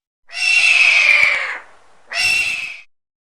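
A hawk gives two harsh, raspy screams, the first long and slightly falling, the second shorter, separated by a brief pause.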